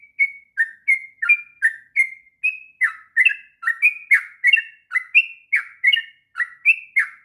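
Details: Sooty-headed bulbul delivering continuous long song for training young birds: clear, liquid two-part whistles repeated in an even, bouncy cadence for several seconds without a break.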